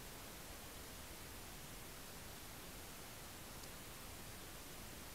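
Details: Faint, steady broadband hiss fills the whole recording, with no animal calls.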